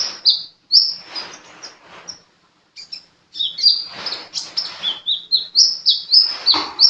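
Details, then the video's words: Sunbird in lively song: a rapid, almost continuous stream of piercing high notes, each sliding down sharply, repeated several times a second after one short pause, with a light rustling hiss behind. "Burung kolibri gacor"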